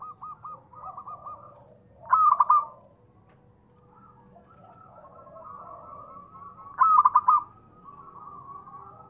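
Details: Zebra dove, local type, singing to stir other doves into calling: two loud clipped note clusters about five seconds apart, with long low rolling trills before and after.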